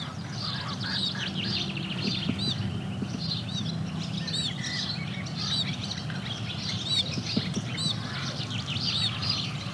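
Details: A female house sparrow peeps softly while trembling her wings, accepting a male displaying at his nest site: short, high chirps about every second, some with a quick up-and-down inflection, over a steady low rumble.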